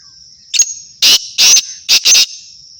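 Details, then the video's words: Black francolin (kala teetar) gives a short harsh note, then four loud grating notes in quick succession, over a steady high insect drone. "Kala Teetar Kabotra Nasal Black Franclion Voice"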